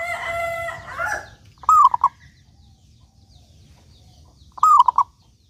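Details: Local zebra dove used as a lure to make other doves sing: a harsh harmonic crowing call fills the first second, then two bubbling cooing phrases follow about three seconds apart.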